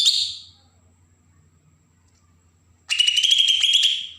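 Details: Bornean green leafbird from Berau, Kalimantan, giving harsh besetan calls used to provoke young birds: a short buzzy burst, a silent pause, then a longer pulsed rasping trill that rises slightly.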